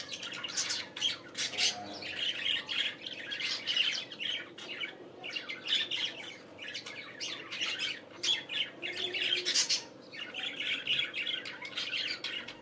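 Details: Morning chorus of budgerigars: a dense, continuous stream of raspy squawks, clicks and twittering warbles rising and falling in bursts, with a constant low background hum throughout.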